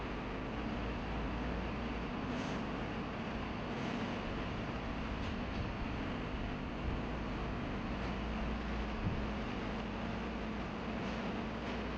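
A steady, low rumbling roar like a passing train or heavy vehicle fills the whole stretch, with no clear animal calls.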